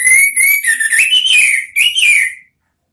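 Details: Orange-headed thrush in "ngeriwik" song, a lure for drawing out the "ngeplong" sound. One continuous clear whistle that holds level, dips, then climbs and wavers through several slurred turns before a short break and a final falling slur.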